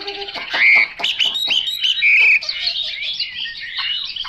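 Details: Loud Chinese hwamei song of rapid clicking notes and bright, piercing whistled phrases, then softer warbling, close to the microphone.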